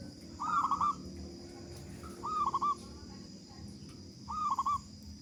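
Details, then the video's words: Local zebra dove singing actively, a big-voiced bird used as a prompt for other doves to sing. Three quieter, more distant rolling coo phrases about two seconds apart over a low background hum. "Perkutut Lokal Gacor Suara Besar Pancingan Burung Perkutut Agar Cepat Bunyi"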